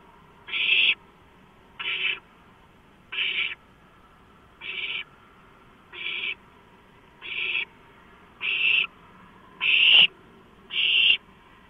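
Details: During a large-rodent delivery on 23 March 2015, owlets give nine short, harsh, breathy screeches spaced about a second apart, growing slightly louder toward the end, with a low hum and a knock near the close.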